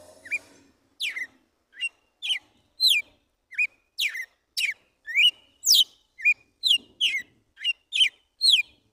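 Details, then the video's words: A wild Red-cowled cardinal singing the "tiro de guerra" song in the morning gives a lively run of sharp, whistled notes, each sweeping steeply down or up, in quick bursts about twice a second. "GALO DE CAMPINA CANTO TIRO DE GUERRA"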